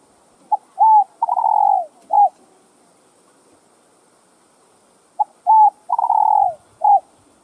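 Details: Spotted dove calling to excite other doves. A phrase of brief notes, a clear coo, a long quavering descending coo and a short end note is given twice, about five seconds apart, in near silence.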